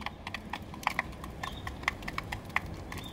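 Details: Eurasian tree sparrow kept in a box on a balcony, short sharp chirps scattered irregularly over a few seconds, with clicking and tapping noises mixed in.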